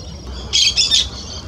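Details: A young Roadside Hawk in Parque do Sabiá, an urban park in Uberlândia, Minas Gerais, around sunrise, gives a harsh, high, rasping squeal in two quick scratchy pulses of about half a second, over a faint outdoor hush.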